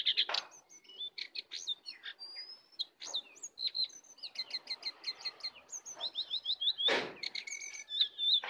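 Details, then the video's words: Sooty-headed bulbul duel, wild versus caged bird, full song; bursts of clipped whistles and rapid repeated chirps, softer than the others, with a short rushing noise near the end. "pertarungan sengit antara Jongkangan liar vs jongkangan sangkar, full isian"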